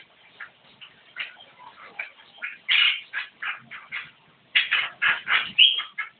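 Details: Javan myna singing vigorously: a run of harsh, squawky, chattering notes, each short and buzzy, delivered in quick bursts that grow louder and denser toward the end, with no other clear sounds.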